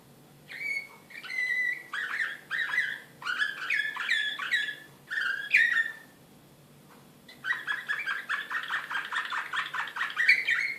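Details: Serbian Slavujar canary, excited, Belgrade 2016, singing separate phrases of whistled and chirped notes with gaps between them, followed by a long accelerating rattling trill that grows louder toward the end.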